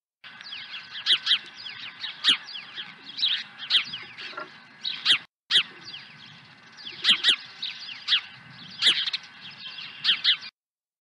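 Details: Nest-side osprey on 23 April 2020, swooping in with a second fish: sharp, high, downslurred chirps in clusters roughly every second, separated by softer scratchy squeaks, with a constant faint hum.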